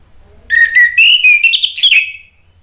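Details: Male orange-headed thrush lure song from a kept bird: clear whistles climbing stepwise in pitch, then a slurred warbling flourish that fades out, with no other sounds besides a faint hum.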